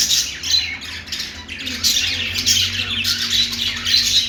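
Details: Budgerigar singing: a dense, continuous warbling chatter of squawks and chirps, with low hum underneath.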